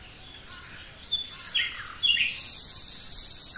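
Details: Common nightingale singing varied phrases: scattered whistled notes and short slurred slides, then a sustained high, hissing buzz held to the end.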